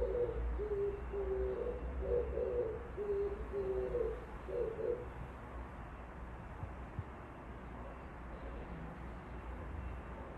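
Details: Oriental turtle dove song heard outside a window: a run of low, throaty coos in short grouped phrases fills the first half, then the bird falls silent and only a quiet low rumble remains.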